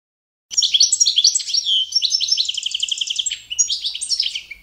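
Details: Competition-standard song of the Balkan goldfinch, Carduelis carduelis balcanica, for training birds: after a brief silence, a lively, sustained warble of high twitters, quick metallic trills and sliding whistled notes.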